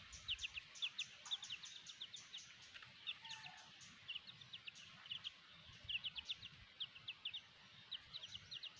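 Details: Black hen accompanied by her chicks; fast, sharp high peeps come in irregular clusters throughout, fairly quiet, over a hissy outdoor background.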